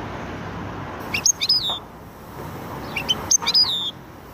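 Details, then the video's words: Goldfinch × canary hybrid in song, delivering two bright bursts of sharp high chips followed by a clear whistled note sliding downward, separated by a quiet pause, against faint background hum. "هجين ويداني ممتاز"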